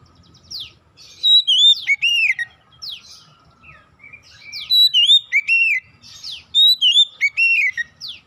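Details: Oriental magpie-robin song used as a lure to get untrained birds singing quickly: three bursts of loud, clear whistled phrases with sliding, rising and falling notes and quick upsweeps, repeating roughly every three seconds over a faint low hum.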